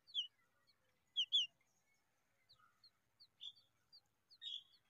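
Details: A very hungry familiar chat (Oenanthe familiaris) chick begs for food with thin, high, sharp chirps in irregular bursts, some doubled and louder, and quiet pauses between them.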